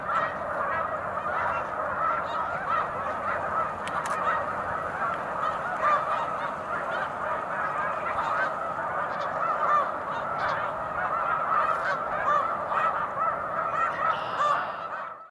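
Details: Long stretch of snow geese calling on Cayuga Lake, 20 March 2021, a huge flock honking continuously, the murmur of distant birds under clearer nearby yelps.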